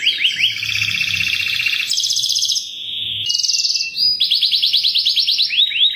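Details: Lure chirping from a canary: dense rattling trills held at shifting pitches, a brief pure tone near the middle, then a run of rapid descending sweeps, faint low hum underneath.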